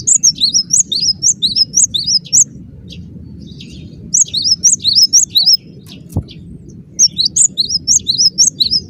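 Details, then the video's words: Cinereous tit (gelatik batu) giving dense gacor song in three bursts of rapid, high, ringing two-note phrases separated by short pauses, with one sharp click and a steady low hum beneath. "Suara rapat +GACOR banget, gelatik batu gacor"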